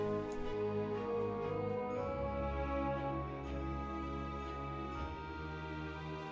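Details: Soft, slow orchestral music with sustained tones and gentle swells, and no animal calls.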